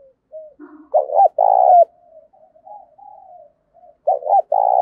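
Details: Spotted dove kept as a decoy, giving its thổ sấm style coo daily to provoke wild birds. Quiet wavering murmurs lead into a loud phrase of two clipped hoots and a sustained coo, repeated near the end.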